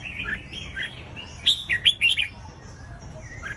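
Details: Red-whiskered bulbul song for triggering other bulbuls to sing: soft warbled notes at first, then a loud burst of four or five quick, bright chirps mid-way, followed by quieter trailing notes.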